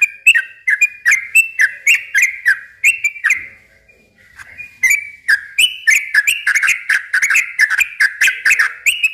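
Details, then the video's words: Yellow-vented bulbul song used to stimulate young birds: a stream of liquid chattering phrases, a short quiet gap of about a second, then an even busier, denser burst of bubbly notes. "suara kicau trucukan gacor ropel panjang ini ahlinya buat pancingan trucuk bahan muda"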